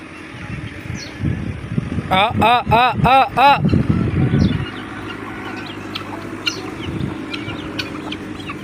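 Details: Peacock giving a burst of four or five loud, nasal, harmonic calls in quick succession, over steady traffic rumble and background noise.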